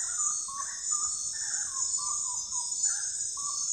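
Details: Brief stretch of common gallinule clucking: clipped notes, some dipping in pitch, spaced roughly a second apart against a continuous high-pitched insect hum.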